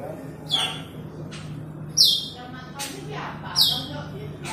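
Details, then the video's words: Calling to a rival, an Asian glossy starling gives three bright whistles that drop steeply in pitch, roughly one and a half seconds apart, with softer chattering notes and a low hum beneath. "Cucak Keling memanggil lawan"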